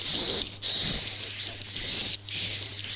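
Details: Lure recording for swiftlet farming, a roosting sound known as suara inap "Masal": swiftlet calls as loud, sustained, high hissing whistles in bursts of about half a second to a second and a half, broken by brief silences.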